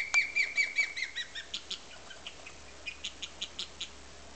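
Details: Nesting female osprey at Tiger Point, Pumpkin Hill Creek, guarding her nest on 20 May 2007, gives a quick run of sharp high chirps that fades into softer, spaced piping notes.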